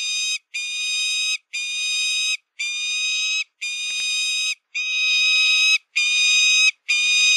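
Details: A falcon's loud, shrill screeching: eight sustained, even-pitched notes in quick succession, each just under a second, broken by brief silences.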